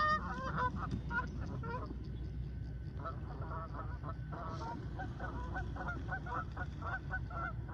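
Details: Flock of Canada geese taking off in the morning: steady rapid honking, many overlapping nasal calls repeating about twice a second over a constant low rumble of background noise.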